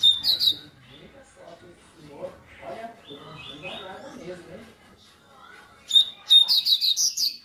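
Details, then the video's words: Rusty-collared seedeater, coleiro tui tui of the "Zel Zel" style in an "esquenta" warm-up: sharp high whistled notes open, then a rapid burst of six or so clipped repeated notes near the end, with murmured speech and music between. "Coleiro tui tui Zel Zel o melhor Esquenta coleiro"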